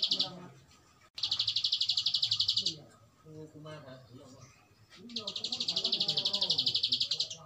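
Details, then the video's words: Bar-winged prinia delivering long ngebren trills: two dense, high, buzzing rattles of about two seconds each, separated by a pause filled with human speech. "Kicau Prenjak Alang Alang ngebren panjang"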